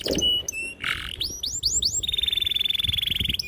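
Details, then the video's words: Lure song of a canary for training juvenile canaries: short chirps, a series of curved rising-falling whistles, then a long even high trill pulsing rapidly. "PANCINGAN KENARI GACOR PANJANG || PANCINGAN KENARI PAUD BELAJAR BUNYI || MASTERAN KENARI PAUD"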